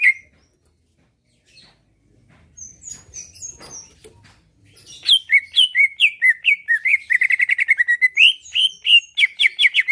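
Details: Captive greater green leafbird with a chatty, rival-provoking song: quiet start with a few faint high notes and soft rustling, then from the fifth second a loud, accelerating stream of sharp whistled notes.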